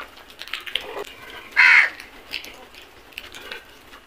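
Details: Crows in a flock attacking food give one loud harsh caw, with fainter calls from other birds scattered before and after it.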